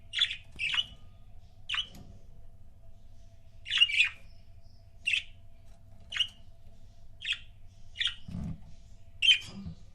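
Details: Short, clipped single chirps from pet budgerigar couples, spaced about a second apart across ten seconds, some doubled, over a faint low hum and a couple of soft thumps.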